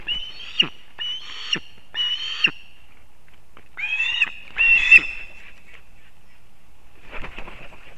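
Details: Ospreys at a nest in Kurzeme, Latvia, on 1 September 2024, as the male brings fish for breakfast to the chick. Shrill, piercing whistled calls come in a spaced series, then a louder rapid pair, with faint rustling after.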